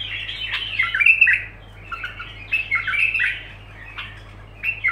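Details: Bulbul singing continuously: squawky, slurred phrases with sharp whistled accents, repeated in clusters about every second, over a steady low hum.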